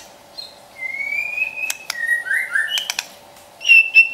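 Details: White-rumped shama song for training a pet bird: long pure whistles, level and slightly rising, stepping between pitches, broken by sharp clicks, ending in a bright high whistle, with a constant background hum.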